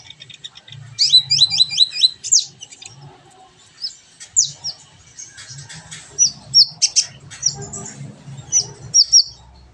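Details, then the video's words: Kolibri ninja sunbird on a training recording for caged singers: a quick series of high looping notes, then scattered sharp clicks and chirps, and paired high tweets near the end, with a low background murmur. "masteran burung Kolibri ninja agar cepet gacor dan ngobra"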